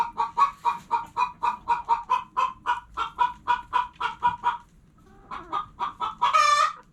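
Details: Hens clucking about four times a second in a brisk, regular series, a short silence, then a few softer clucks ending in a long, loud squawk.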